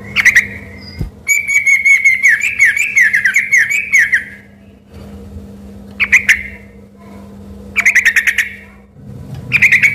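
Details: Sooty-headed bulbul in vigorous full song, mistaken by locals for an oriental magpie-robin: a clear whistled phrase, then a long run of rich warbled notes near two seconds, and rapid stuttering bursts of clipped notes, with a steady low hum behind.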